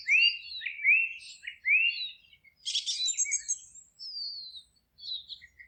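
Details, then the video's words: Forest birds singing: three loud, clear rising-and-falling whistled phrases about every three quarters of a second, then a dense buzzy trill and a long thin high whistle. "Forest relaxing sounds of singing birds"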